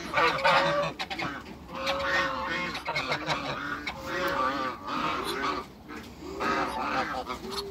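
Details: A backyard pair of African geese among other waterbirds, with repeated nasal honks rising and falling in uneven bursts over a busy farmyard background. Low, rounded coo-like calls repeat throughout.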